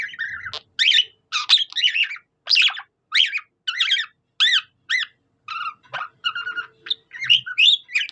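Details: Pet budgie imitating a cockatiel's song: a steady series of short, crisp, chirpy whistled notes, about two per second, some with quick downward slurs, in an otherwise quiet room.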